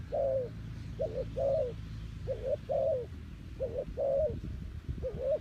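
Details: Decoy spotted dove calling to lure wild doves: low, soft cooing phrases of a short note followed by a longer, slightly wavering coo, repeated about once a second over a low rumble.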